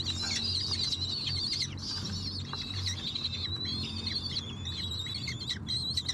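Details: Common Kestrel chicks in an old magpie nest in an air-conditioner unit on a 14th-floor apartment in a city, being brought prey: shrill, wavering high calls almost without pause, overlapping in bursts, over a low hum.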